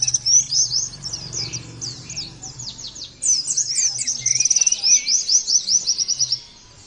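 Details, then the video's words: Oriental white-eye song from a therapy recording meant to make the bird sing rapidly: fast, high, thin twittering phrases of quick slurred notes, with a buzzy trill midway, over a low hum. "terapi pleci bikin nembak mudah di tiru langsung ngotot bunyi"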